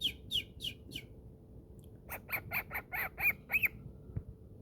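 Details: Male pet cockatiel at play inside his cave: a few quick high chirps, a pause, then a run of louder rasping squawks about four per second, with low room noise underneath.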